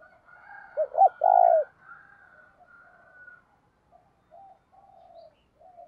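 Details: Spotted dove decoy calling to provoke a fight, thổ sấm voice style: two quick arched coos and a rolling coo, then a long stretch of faint, softer coos trailing off.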